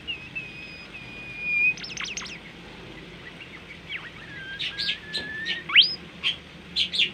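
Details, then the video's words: A tame captive bimoli sings a long, thin, steady whistle, then a run of quick rising and falling chirps and sharp high notes, with a faint hiss behind. "masteran merdu burung bimoli gacor"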